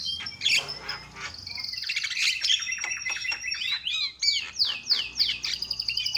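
A Javan myna chatters loudly: harsh squawks, then a rapid run of sharp, down-slurred whistled notes repeated about twice a second, all high-pitched.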